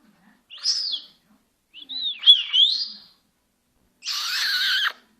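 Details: Senegal parrot talking: two whistled, sliding phrases rising and falling, then a harsher, buzzy rasping burst about a second long, with quiet gaps between.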